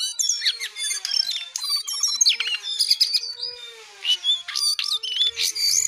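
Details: Busy jongkangan song of quick, jumbled chirps, buzzy notes and high whistles in rapid bursts with short gaps, over a faint steady hum.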